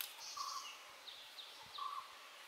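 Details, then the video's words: Nilgiri sholakili (Sholicola major) singing: a thin, high note, then soft, low fluty whistles and brief mid-pitched chirps, spaced over a few seconds against a steady background hiss. "Nilgiri Sholakili (Sholicola major) Singing"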